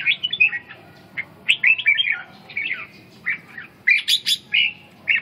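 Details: Red-whiskered bulbul, a Vietnamese inner-region bird, delivering loud, lively warbled phrases of quick rising and falling whistled notes, packed in rapid bursts with short gaps, over a quiet background.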